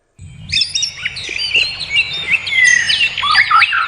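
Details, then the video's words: Birds singing in the wild: a lively chorus of several overlapping voices with bright whistled slurs and quick twittering notes, some rising and falling, starting abruptly after a brief silence, over a soft low background rumble. "Suara kicau burung di alam"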